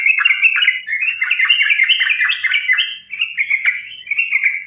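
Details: Sooty-headed bulbul in rapid, connected fighting-style song used as a lure for other bulbuls: a steady, tumbling stream of bright slurred notes that rise and dip without pause.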